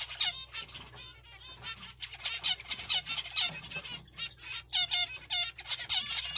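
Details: Several zebra finches calling loudly: repeated short, nasal, trumpet-like notes in fast, uneven bursts, some notes standing out clearly above the chorus, with brief silent breaks around the middle.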